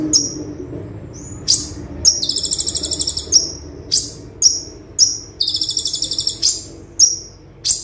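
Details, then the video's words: Olive-backed sunbird, 'tembakan' song style used as a tutor recording: a string of very high, sharp downslurred chips broken by two fast, buzzy, rattling trills, each about a second long. "Konin Tembakan Super Mewah - Konin Gacor Full Tembakan - Masteran Konin Gacor"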